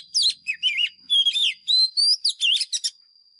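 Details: White-rumped shama decoy singing a fighting song for training caged birds, a dense run of rich whistles, dipping slurs and buzzy chips delivered without pause, with a faint steady high tone behind.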